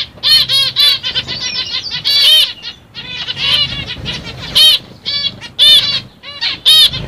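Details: Zebra finches, including a CFW black-cheeked mutation, give loud, nasal, toy-trumpet-like calls in quick bursts, overlapping from several birds.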